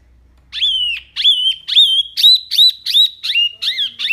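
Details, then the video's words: Wambi, a mini type, singing loudly and clearly with a varied repertoire: a series of loud whistled notes, each dipping and then levelling, repeated about three times a second with bright upper harmonics. "BURUNG WAMBI MINI GACOR SUARA BANYAK LANTANG JERNIH"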